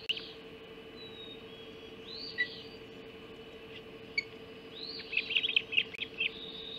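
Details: Ospreys at the Hog Island nest during a mackerel breakfast delivery, 04.50, 30 June 2016: a few isolated high chirps, then a quick cluster of excited piping notes near the end, steady hum beneath.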